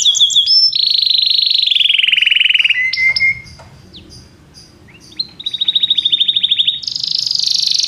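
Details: Belgian canary song with a long rolled trill gliding gently downward, a brief lower pure trill, a short pause, then a rising buzzy rattle and a bright high trill.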